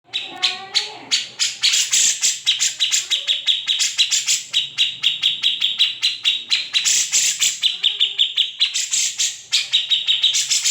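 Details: Grey-cheeked bulbul (cucak jenggot) singing a master song used to train magpie robins and green leafbirds, known for harsh besetan rasps, ngepik chips and trills; a dense run of sharp, buzzy high notes over a steady ringing tone, several each second.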